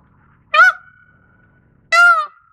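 Two loud, nasal, trumpeting wails from an Indian peafowl, each a sharp onset trailing into a held tone, about a second and a half apart.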